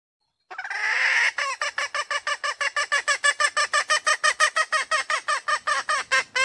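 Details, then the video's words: A wild female red junglefowl calls: one long, rough opening note, then a run of about thirty rapid, nasal cackling notes, roughly three per second, continuing to the end. "WILD FEMALE CHICKEN SOUND"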